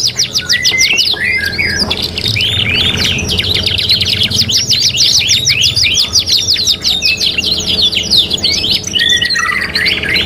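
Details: Canary singing steadily in a three-in-one training recording: fast chattering trills, rising and falling slurred whistles, and long runs of rapid repeated notes, with a soft low hum behind.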